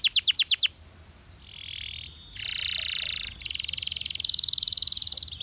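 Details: Belgian canary giving a short clipped trill, then a pause and drawn-out buzzy, rattling tours, ending in a rapid pulsed buzzing roll.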